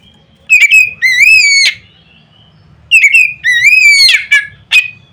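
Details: Loud provoking song of a white-rumped shama, rich whistled notes that slide upward, broken by sharp rasping accents; two phrase groups with a short silent gap between them.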